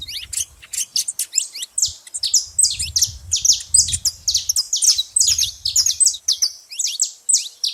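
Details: Saffron finches making much noise at a feeding place: a continuous tumble of bright, high chirps and slurred notes from several birds, with intermittent low rumbling beneath.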